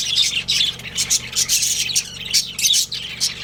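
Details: Pet budgerigars, a breeding pair, giving a short run of high squeaky chirps and scratchy notes in quick bursts, with a soft low hum behind.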